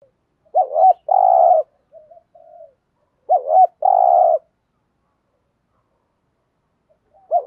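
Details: Spotted dove coos used to stimulate other doves to call: a short double-hooked note followed by a long rough buzzy coo near 600–800, repeated twice with faint soft coos between.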